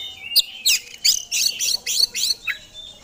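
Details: Oriental magpie-robin, an Indonesian competition songbird singing eagerly through its fill-in repertoire: a fast series of loud, scratchy, high chattering notes, about three each second, ending in a short falling whistle.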